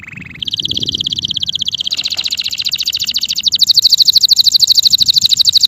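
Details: Singing male canary delivering an almost continuous high rolling trill, changing pitch twice and growing louder toward the end, with faint low background noise.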